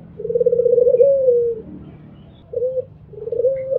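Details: Albino Barbary dove giving a mbekur-style coo: a long pulsed, rolling coo that slides down at its end, followed by two short clipped notes after a pause. There is faint low background hum.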